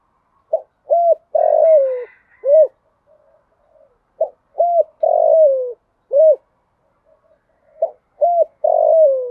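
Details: Decoy female spotted dove calling to draw in males, 'thổ pha' voice with a single trailing note. Three repeated phrases of soft, low coos, each a quick pair of notes, a longer falling coo and a closing note, about four seconds apart.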